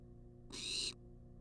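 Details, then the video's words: Single rasping, noisy hiss from a wild barn owl in a nest box, demanding food on a live camera; one breathy burst lasting under half a second against a faint constant hum. "Barn Owl Demands Food For 14 Minutes Straight"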